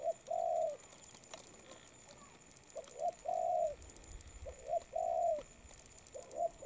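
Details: Spotted dove cooing while moulting, a low soft hooting phrase of a short note followed by a longer drawn-out coo, repeated about every two seconds over a steady background hiss.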